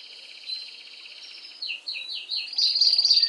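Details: Canary song played to stimulate females for mating: quiet high trilling that grows louder after a second and a half into a series of quick descending chirp notes and a bright, rapid rolling trill at the end.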